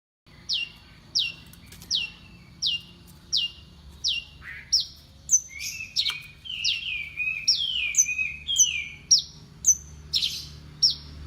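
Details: Horsfield's bush lark in champion-grade song: a run of sharp, high whistled notes, each dropping steeply in pitch, repeated about twice a second. Midway it shifts into varied, lower, slurred chirps before the steady notes return. Faint low hum underneath.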